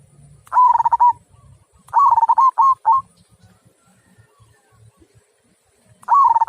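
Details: Zebra dove of local stock singing in the prized 'kung' style, clear and strong: three bursts of rapid, rolling, pulsed coos, the middle one trailing into two short extra notes, separated by quiet pauses with faint low background knocks.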